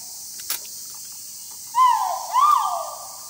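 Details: Great argus in its habitat at Thung Chali, Phang Nga, recorded March 13, 2019: two loud, full notes close together, each rising then falling, the second stronger and drawn out, over steady insect hiss.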